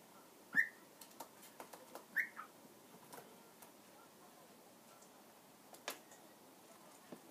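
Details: A pet cockatiel sings while drumming on and gnawing a box atop a kitchen cupboard, giving two short, clear whistled notes about a second and a half apart among many sharp tapping and chewing clicks.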